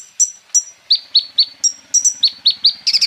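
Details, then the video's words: Sunbird (konin, "kolibri ninja") giving thin, very high chirps, about three per second, ending in a quick sharp trill. "KOLIBRI NINJA FULL MATERI ROLL TEMBAK ISIAN MUDAH DITIRUKAN BURUNG KONIN LAIN AGAR BUNYI GACOR"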